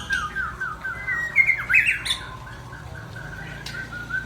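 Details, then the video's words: Murai Aceh, the white-rumped shama, gives sliding downward whistles, then louder sweeping notes with a sharp dip and jump, easing into softer steady whistles. "Murai Aceh"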